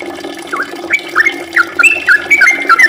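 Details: Brief burst of sooty-headed bulbul ropel song, short slurred whistles quickening into a run of bright up-and-down notes over a steady low hum.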